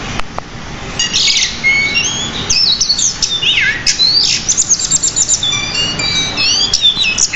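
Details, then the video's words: Pied bushchat, a caged bird recorded as a master track for training songbirds, delivering a busy, rich song: rapid high whistles, buzzy descending slurs and chattering trills, varied phrases running almost continuously with barely a pause. "Masteran Burung Decu Gacor Roll. isian Banyak"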